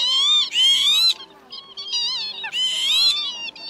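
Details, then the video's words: Lapwing lure for netting migrants at night, calling the flock: long, drawn-out wheezy cries with a rising then falling bend, two loud overlapping bursts separated by softer, choppy calls. "Te Te Mào Tiếng Chuẩn Gọi bầy trống mái"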